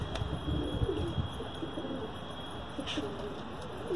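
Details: Pigeons giving low, murmuring coos through the first second and a half, then softer rumbling notes over a steady background hum, with a thin high tone throughout and a brief sharp click near the three-second mark.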